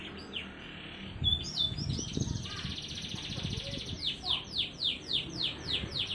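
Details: Canary song for encouraging silent canaries to sing, with a held buzzy whistle over low knocking noises and a faint voice, ending in a steady run of downward whistled sweeps.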